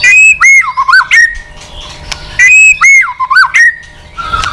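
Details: Mature wild-caught white-rumped shama in a singing contest, tail beating continuously. The same phrase sounds twice: a level whistle, then a looping double dip and a sharp high flourish, about two seconds apart.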